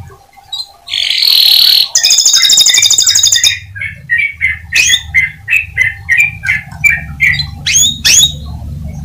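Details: Singing Atlantic canary, used to coax other canaries into song: a loud buzzy note, a fast high trill, then a long run of short evenly spaced chirps about three per second; faint low hum.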